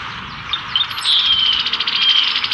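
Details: Male brown-headed cowbird courting a female with a display in spring 2024, Cook County, Illinois; soft gurgling notes lead into a thin, drawn-out whistle that wavers on one pitch, with a brief very high squeak near the middle.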